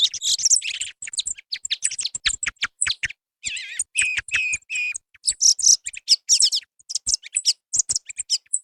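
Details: Recorded song of a song thrush, used as a lure for hunting. Rapid high chittering notes give way to a few clear, wavering whistled phrases repeated two or three times. Short silent gaps fall between bursts.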